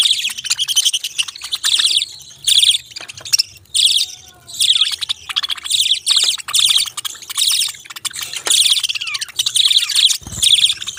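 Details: Budgerigars chirping in bursts of dense, scratchy, high-pitched warbling chatter lasting about a second each, separated by short pauses, with a brief low thump near the end.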